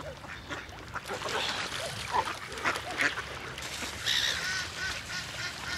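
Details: Many ducks calling together while swimming on the water among great white pelicans: a loud, crowded chorus of harsh nasal quacks, rising into a brighter, more intense cluster of calls in the later seconds.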